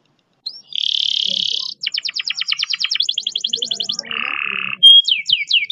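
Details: Canary singing a long fast roll master song: a high buzzy sustained roll, then rapid evenly repeated pulse trills, a lower buzzing rattle, and quick sweeping whistled notes near the end.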